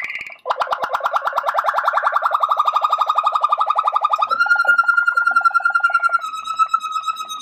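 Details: Malinois Waterslager canary singing a low, rolling trill for about four seconds that ends in a long, steady whistled note held for several seconds.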